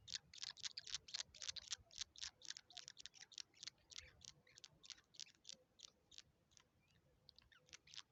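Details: Rufous treepie feeding its chicks: rapid, harsh, hissy rasping bursts, roughly three or four a second, loud and dense for six seconds, then thinning and quieter toward the end.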